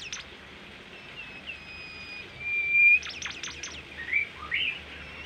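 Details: Masteran song of a Bimoli, a tame, sweet-voiced bird said to be rare and unique: drawn-out level whistles, a quick cluster of steep sweeps, then short twittering notes.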